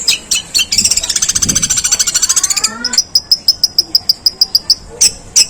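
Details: Long-tailed shrike (pentet) singing a long, harsh imitation of sparrow calls: a fast rattling run of high chirps, then a slower series of sharp high ticks spaced about a quarter second apart.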